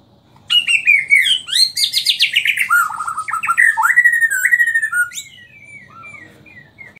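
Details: Borneo white-rumped shama from Samarinda singing in the styles called 'nyangkul' and 'roll tembak': loud, varied phrases of descending whistles mixed with rapid rattling trills for about five seconds, then trailing off into soft, quiet notes.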